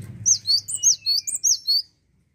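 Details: Gelatik watu, the cinereous tit, singing busily: a quick sequence of seven loud high chirps, each sweeping upward then downward, with a faint lower whistle beneath and a brief low rumble at the start.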